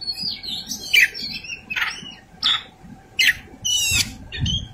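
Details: White-rumped shama fighting song, whistled sliding notes followed by separate harsh rasping bursts about once a second, with low background rumble.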